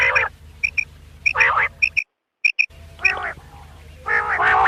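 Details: Night-time quail calls recorded for hunters: sharp doubled high pips and harsh, nasal bursts, with a short dead-silent break midway before the rasping notes resume.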